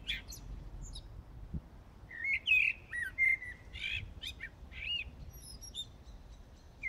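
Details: Night song of a common blackbird, Brussels, Belgium, early morning of 15 January 2018: mellow whistled notes broken by scratchy high chirps and twittering flourishes.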